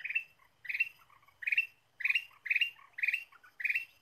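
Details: Ruby-throated bulbul used as a lure, singing energetic repeated bursts: short bubbly chirps about twice a second, each with a sharp squeaky tone and softer trailing notes, with little background sound.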